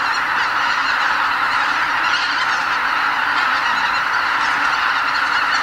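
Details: Before sunrise at Lake Miyajimanuma in Bibai, Hokkaido, Japan, about 80,000 migrating greater white-fronted geese lift off from the roost to feed in nearby farmland in spring. Countless high-pitched honks merge into a constant, even roar.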